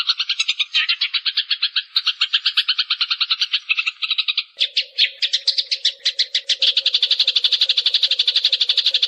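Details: Eurasian tree sparrow in rapid "nyrecet" chattering, played as a tutor recording to provoke singing: dense harsh chirps about four per second, high and buzzy, shifting to a faster, brighter run halfway, over a faint steady low hum.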